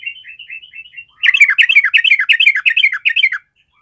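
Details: Fighter-type sooty-headed bulbul whose song is said to trigger fighting emotion instantly: light, quiet warbled notes lead into a loud, rapid stream of chattering, bubbling phrases for about two seconds before stopping.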